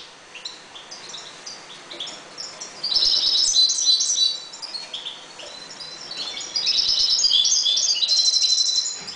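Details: In a 1.20 m breeding cage, calm European goldfinches trade scattered chirps before two sustained bouts of dense, tinkling, buzzy twittering song.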